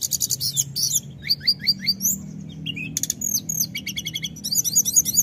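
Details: Snowy-browed flycatcher delivering lively continuous calls: rattling runs of very high ticks, then short rising and falling whistled notes in quick series, ending in a fast rattle, with faint low hum behind.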